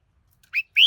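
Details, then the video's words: Red-whiskered bulbul giving two quick whistled notes, a short slurred one followed by a longer rising whistle. "Chào Mào Hót Hay Nhất"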